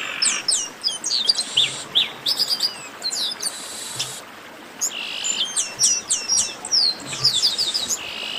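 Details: Overlapping chestnut-capped blackbird voices in a lively racket: rapid, high slurred whistles, sharp downward chips and a harsh buzzy burst, with nearly continuous activity throughout.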